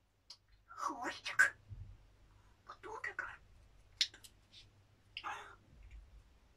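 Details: A grey parrot begs for an apple in breathy, whispered, speech-like phrases, three or four short bursts with sharp clicks between them, in a quiet room.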